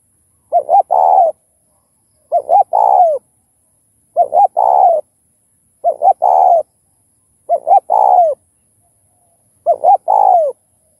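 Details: Spotted dove cooing, repeated to stimulate other doves; six regular phrases about every 1.7 seconds, each a pair of short hoots then a longer falling coo, clean with no other sounds.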